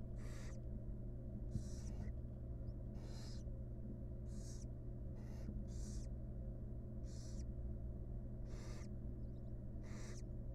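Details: Wild barn owl mother grooming her chicks in a nest box: repeated harsh, breathy hissing screeches, each about half a second long, roughly every second, over a steady low electrical hum.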